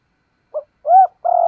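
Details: Spotted dove giving a 'thúc gù' lure coo to make wild doves respond. A short soft note, then a smooth arched coo, then a buzzy, wavering held note.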